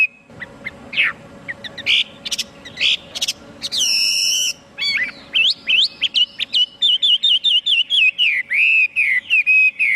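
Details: Chinese hwamei beginning with scattered sharp notes and a brief rich, buzzy burst, then settling into a fast, accelerating series of clear whistled notes and looping slurs.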